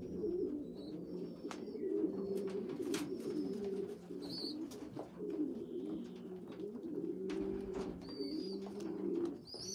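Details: Young pigeons, a weak youngster feeding well-developed ones; steady low cooing murmur with scattered thin high whistled squeaks and occasional clicks throughout.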